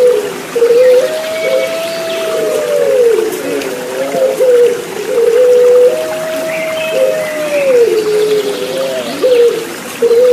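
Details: Puter Pelung turtle dove song, long sustained cooing notes that swell and then slide down, repeated roughly every five seconds, with softer overlapping coos and trickling water throughout.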